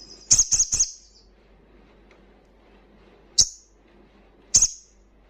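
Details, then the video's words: Loud song of a wild crimson sunbird, used to stimulate breeding condition and aggression in untrained sunbirds: three quick sharp high chirps in a burst, then two single piercing chirps after a pause, with faint background rustle. "Sogon Ngalas Kencang"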